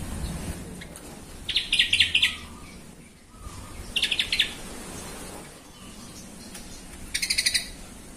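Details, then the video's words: Yellow-vented bulbul song used to provoke other bulbuls into singing, with three short stuttering bursts of rapid bright chirps spaced a few seconds apart, the last one higher and sharper, over a low background rumble. "TRUCUKAN EMOSI BONGKAR ISIAN❗BIKIN TRUCUK LAIN SEKALI DENGAR AUTO KOAR KOAR❗"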